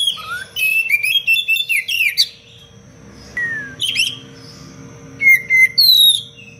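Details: Oriental magpie-robin, a tutor recording for training other birds, delivers rapid, rhythmic bursts of buzzy, chattering notes, several per second, then a slurred falling whistle and a final loud twittering phrase; steady low hum beneath.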